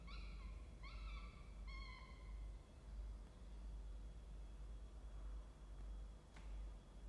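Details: Peregrine falcon at a nest box camera gives three drawn-out, nasal wailing calls about a second apart, then falls silent; a steady low rumble runs throughout, and one sharp click follows.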